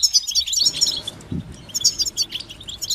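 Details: Brief stretch of European goldfinch song meant to motivate singing: quick, high twittering notes in two clusters, with a soft low rumble and a dull knock in the background.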